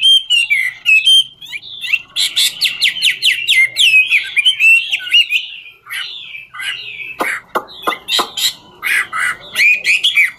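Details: Ngũ trường-style Chinese hwamei singing as it dances, pouring out rich rapid whistled notes that rise and fall, with a few sharp clicking strokes near the end.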